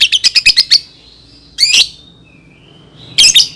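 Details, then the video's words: Lovebird song meant for teaching young birds: a fast run of about seven high chirps, a pause, a buzzy burst, a faint thin whistle, then another harsh chattering burst. "SUARA BURUNG Love Bird COCOK BUAT PANCINGAN PAUD"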